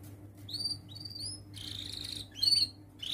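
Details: Young canary learning to arrange its song, used as a tutor recording for baby canaries; quiet, broken phrases of short high whistles and a brief buzzy trill, with a faint low hum underneath.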